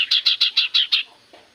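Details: Common iora song played as a lure to prompt other birds to answer: a quick run of six harsh, evenly spaced buzzy notes in under a second, then a faint trailing note.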